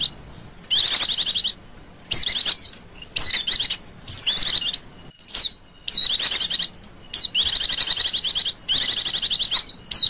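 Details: Calling female Oriental white-eye used to lure birds: steady series of high, fast rattling trills mixed with quick downward whistles, about eight bursts spread evenly with short quiet gaps between.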